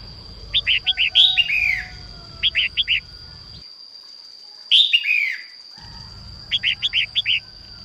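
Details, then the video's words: Female red-whiskered bulbul singing at dawn to stimulate males: repeated bursts of three to five short whistled notes alternating with longer falling slurred phrases, with brief silent gaps; a thin steady high tone persists. "Chim chào mào mái hót sáng kích bổi nhanh ra giọng"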